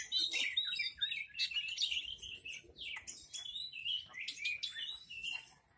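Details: Horsfield's bush lark, "hitam putih", kept and praised as a fine bird, sings softer phrases of quick chips, buzzy trills and downward-slurred notes, repeated in short bursts.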